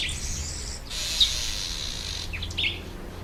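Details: Red bishop in breeding season, when the males turn black and red in October and November and nest in reeds over water. A dry, sizzling buzz spreads over a broad high band for more than a second, followed by a few short chirps.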